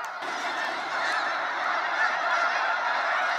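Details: Snow geese in waves at a sunset fly-out over Sacramento National Wildlife Refuge: a dense, continuous chorus of overlapping nasal honks from many birds, steady and loud throughout.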